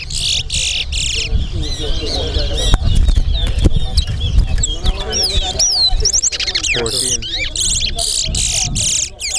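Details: Towa towa birds singing in a bird race at Alligator Pond: varied sweet whistles and rapid warbling trills, some rising and falling, run almost continuously over heavy low rumbling background noise and people talking.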